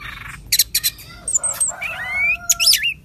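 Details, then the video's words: Orange-headed thrush, a loud-voiced fighter bird, in a lure recording: scratchy chattering notes, a few high whistles, then a long rising slurred whistle and a wavering loop. "Anis Merah Gacor nyape Telerrr!!!"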